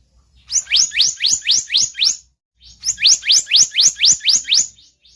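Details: Blue-banded kingfisher lure sound: two clean series of steeply rising, shrill whistles, about four per second, with a short pause between the series.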